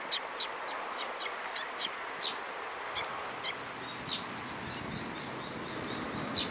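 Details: Sparrows arriving at a shrine (Tenmangu) to be fed, recorded 22 May 2022; short high chirps repeat irregularly, a few louder notes every couple of seconds, over steady outdoor background hiss.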